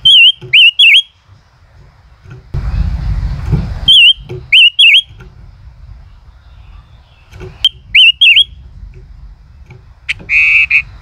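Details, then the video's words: ["Male common rosefinch in 'chế cựa' song: bright undulating whistles in short clustered phrases, repeated several times with pauses, with a brief rustling noise burst midway and scattered ticks."] "tiếng chim ngũ sắc hót - chim ngũ sắc trống hót chế cựa hai"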